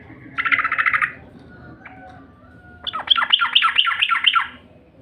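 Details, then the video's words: Yellow-vented bulbul lure call meant to draw in birds: a harsh buzzy rattle, a short gap, then a rapid series of about eight sharp, downward-slurred chipping notes. "SUARA PANCINGAN TRUCUK"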